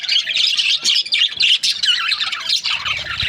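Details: Several budgerigars from breeding pairs chirp at once, quick warbling high notes and harsh squawks piling over each other, a faint low thump near the end.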